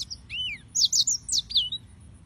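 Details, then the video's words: Brief burst of yellow-fronted canary song: a rising-and-falling whistle followed by three or four sharp, very high chirps and a trailing slurred note. "Suara Burung - (Serinus Mozambicus) White-tipped Green Singers Singing"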